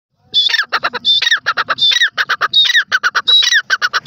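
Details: Grey francolin, the dakhni teetar, a male calling with a female responding: loud harsh phrases, each a high squeaky note followed by a rapid run of pulsed, clipped notes, repeating about five times in four seconds.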